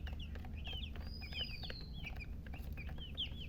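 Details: Chicks of domestic chicken chirping, several high curved peeps in loose clusters, some doubled, over a constant low background hum.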